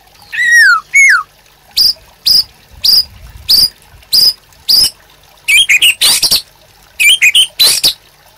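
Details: Master song of a white-rumped shama for training caged birds: two descending whistled slurs, then a regular series of short high chips about every half second, followed by clustered metallic, trilled notes.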